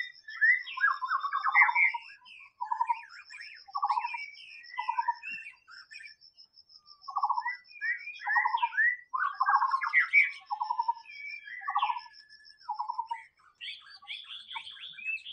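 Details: Wild white-rumped shama in a long song of varied phrases, short buzzy notes in quick runs, swooping whistles, then grouped low pulsed notes, with a faint steady high ticking behind.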